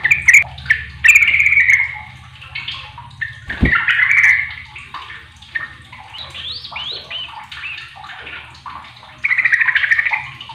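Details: Sooty-headed bulbul calling to other bulbuls, which answer back in an exchange; bubbly warbled phrases and chirps from more than one bird, with a sharp knock near the middle and a low background hum.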